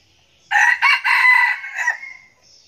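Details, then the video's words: Red junglefowl kept as a decoy and noted as a frequent crower gives one loud, harsh crow of three linked bursts, with the middle one longest, then a short clipped ending note, over a quiet background. "Gà rừng mồi siêng gáy"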